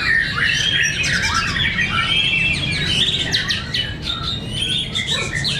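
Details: Fighter white-rumped shamas (murai batu) in a fierce contest at Cibinong. Dense overlapping whistled and chattering phrases rise and fall continuously, with sharp high notes over a steady low hum.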